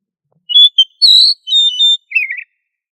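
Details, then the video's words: Oriental magpie-robin in energetic song meant to teach others to sing loudly: a short whistle pair, a long bright sustained note, two level whistles, then a lower scratchy falling phrase. "Suara Burung kacer Gacor Ngobra untuk Melatih Kacer agar Plong Keras"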